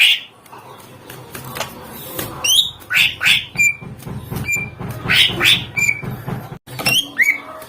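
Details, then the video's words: Greater green leafbird song aimed at getting other birds to answer, sharp chips and short whistled slurs in bursts, over a constant low hum and scattered knocks. "Cucak ijo GACOR NEMBAK FULL ISIAN agar burung lain LANGSUNG NYAUT EMOSI"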